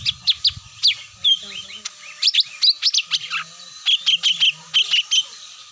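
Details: Luring call of cucak mini: quick, high chirps and twittering slurred notes in short bursts, including one downward whistle, with some low rumbling noise and a steady hum behind.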